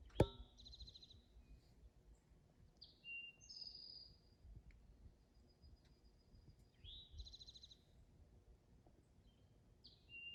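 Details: An Eastern Towhee sings at sunrise along a trail near cliffs, repeating about every three seconds a clear introductory note or two then a bright, fast trill, over low wind rumble.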